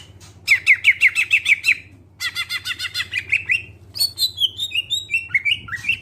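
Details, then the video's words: Greater green leafbird song used to spur other birds into singing: a fast stuttering series of buzzy chirps, a second rattling run, then a chain of descending whistled notes over a faint hum. "Cucak ijo suara jernih, pancingan biar cepat gacor"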